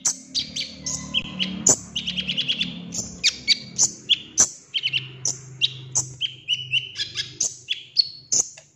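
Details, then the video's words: Golden-fronted leafbird trigger song to prompt a kept bird into lively singing and repertoire display; varied high whistles and sharp downslurred chirps in steady rapid sequence, a short fast chatter near the start, low hum beneath. "PANCINGAN KONIN AGAR GACOR BONGKAR ISIAN"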